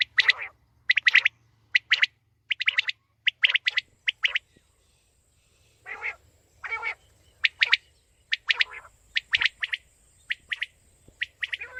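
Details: Female common quail sounds for hunting: bursts of sharp paired pips alternating with broad raspy notes, repeated about once a second, with a thin high whine in the background.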